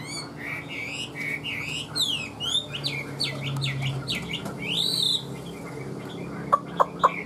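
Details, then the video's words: Caged Chinese hwamei kept as a songbird, standing out in the sun, singing loud varied whistled phrases that slur up and down, rich and fluting, for about five seconds, followed by a few short sharp clicks near the end. "Họat Họa Mi"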